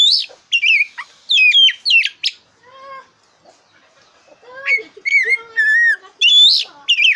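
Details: Loud, varied song of a black-breasted oriental magpie-robin (kacer dada hitam), used as a lure to make competition birds sing: dense sliding whistles and chatter, with a few lower, softer whistled notes mid-way.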